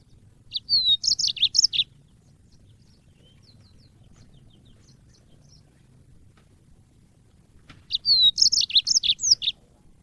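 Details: African yellow-fronted canary song recorded as training audio for songbirds: two short bursts of rapid high twittering, roughly six seconds apart, with faint scattered notes in the quiet gap between.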